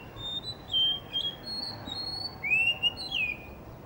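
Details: Blue whistling thrush singing near a cafe in Hunza from a spot in front of a guesthouse under construction: drawn-out pure whistles, then lower rising and falling slurred notes.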